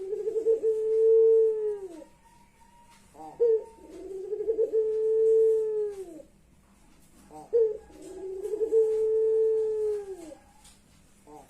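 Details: Puter pelung ring-necked dove giving long, mournful, crying-like coos: each a steady low tone held about two seconds before sliding down, with a short rising note between, repeated roughly every four seconds, three coos in all.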